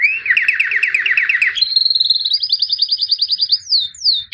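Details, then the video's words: White albino canary, a 2017 champion, sings a rapid buzzy trill that shifts to a higher, faster rattling roll, then ends in a few sweeping downslurred whistles. "Εκπαίδευση καναρινιών - θα κελαηδούν σαν αηδόνια White Canary Singing (Albino)"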